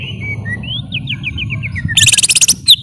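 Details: Greater green leafbird giving a string of clear whistled slurs, rising then stepping downward, followed by a quick burst of bright, buzzy high chips over a low background rumble.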